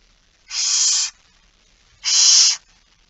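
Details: Two long hoarse hissing screeches, each over half a second, from barn owls begging at a feeding at 06:57 on 13 September 2019.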